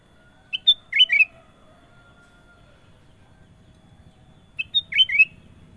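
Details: Sooty-headed bulbul repeating the same bubbly four-note phrase twice, about four seconds apart: a short lead note, a clear whistle and two slurred, rolling notes, with quiet background.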